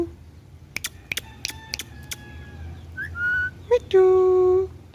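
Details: Talking pet green ringneck parrot: a run of sharp clicks, then a flat whistled note and a sustained, buzzy, voice-like syllable, all indoors with low background hum.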